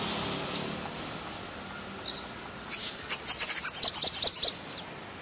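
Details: Thrush nightingale song in spring, opening with three quick high notes, a pause, then a rapid rattling series of sharp clicks and whistled notes, repeated fast.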